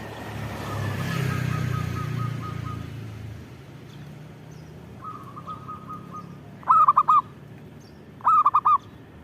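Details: Zebra dove in full song: a low rumbling engine-like noise fades early, then a steady buzzy trill, followed by two clear cooing phrases of four soft, dipping notes near the end.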